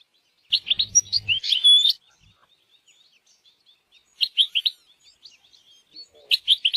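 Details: European goldfinch out in nature, singing in bursts of sharp, tinkling twittered phrases with a buzzy trill, pausing between phrases while faint distant notes continue; a low hum accompanies the first phrase.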